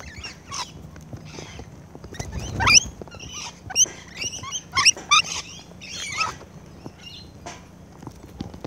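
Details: Feeding rainbow lorikeets filmed close up, making sharp screeches and squeaky chattering notes in irregular bursts, roughly one a second, with some clicks and thuds.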